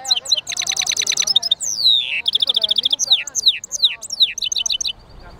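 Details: European goldfinch mule delivering a lively song of rapid rattled trills, descending slurred whistles and buzzy repeated notes in quick succession, fading near the end.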